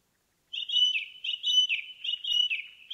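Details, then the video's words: Indigo bunting singing in a forest: bright, slightly buzzy paired notes repeated in quick doublets, each pair dropping a little in pitch, with several phrases strung together over about two and a half seconds. "Indigo Bunting in the Forest"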